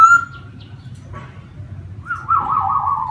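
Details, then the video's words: Laughingthrush singing: a short clear whistled note, a quiet pause, then a longer sustained whistle that slides slightly downward, over a low steady background hum. "CHIM KHƯỚU RỪNG HÓT CỰC HAY"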